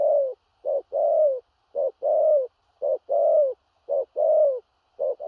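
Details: Big-bodied spotted dove in 'thổ rặc' cooing style: low, husky two-part phrases, a brief note then a drawn-out slurred coo, repeated steadily about once per second with a quiet background.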